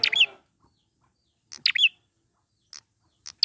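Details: Wild prinia, a lure recording for prompting singing: sharp bursts of chirpy, descending notes in quick clusters, then softer single chips near the end.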